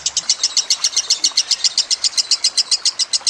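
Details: A lovebird's long chattering trill, offered as master song for teaching other birds, with water gurgling behind: short, bright, high chirps repeated evenly at about six per second.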